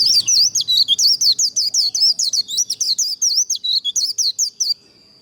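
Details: White-eye delivering a long líu contest phrase, used to rouse birds to sing in contests: a continuous, fast chain of loud, high, looping and dipping whistles lasting nearly five seconds, then a thin steady tone.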